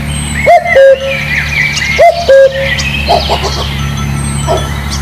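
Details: Two spotted dove coos, each a rising note followed by a level held note, then other birds chirping over a steady low hum.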